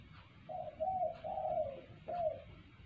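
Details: Spotted dove calling clearly, the kind of call used to lure other birds: soft mid-pitched coos, two short and one long drawn note, then a short closing coo, over a steady background hiss.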